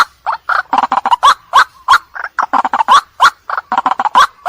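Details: White-breasted waterhen calling at night as a lure: loud, grating croaks repeated quickly, some doubled or tripled, others drawn out with a slight upward inflection, in an uneven rhythm.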